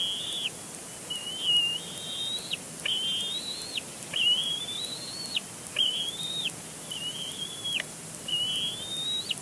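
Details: At a Big Bear Lake nest on April 27, 2022, a bald eagle chick keeps complaining at the adult male; repeated long piercing whistles, flat or gently rising with a sudden fall at the end, about every one and a half seconds.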